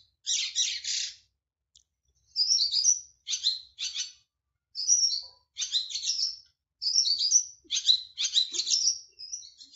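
A lark sings in rich, buzzy bursts of chattering and warbled phrases, each about half a second long and separated by short pauses. No other sounds stand out.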